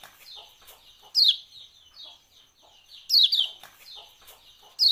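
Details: A lemon-bellied white-eye gives sharp, high, downslurred "ciak" chips in quick pairs every couple of seconds, over softer chirping from other small birds, used to prompt white-eyes to sing.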